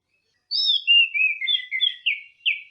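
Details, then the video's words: Orange-headed thrush singing in the style called teler: a rapid run of clear whistled, slurred notes that step downward, then bright warbled fragments, all high-pitched and continuous for about two seconds. "Kicau Anis Merah Teler"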